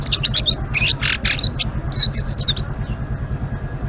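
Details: Short bursts of high, rapid twittering and chattered notes from a Blue-winged leafbird in lively ngeriwik song, filling the first two and a half seconds before fading to just a low droning hum.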